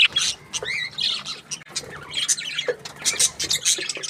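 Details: Happy budgie sounds: separate short chirps and squeaky, wavering whistles with small gaps between bursts, plus faint soft tapping sounds.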